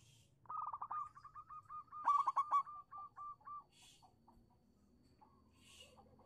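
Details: Local zebra dove lure song aimed at getting quiet doves to sing: a long run of quick clipped coos with a loud rapid burst in the middle, fading into softer notes, with faint hissing noises.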